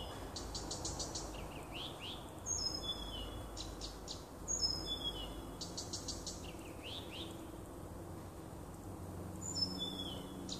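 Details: Woodland nightingale near a house, late June 2015, singing fast clicking rattles followed by pure, slightly falling whistled notes. The pattern repeats in bouts with short pauses.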